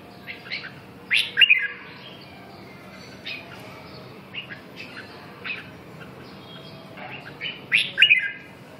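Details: Red-whiskered bulbul delivering short, sharp whistled notes and chirps scattered through the clip, with a louder warbled phrase early on and another strong burst near the end; steady low hum underneath.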